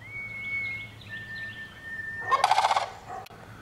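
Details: A long thin steady whistle is followed by one loud, rapidly pulsed rolling rattle from a sandhill crane, then a short click.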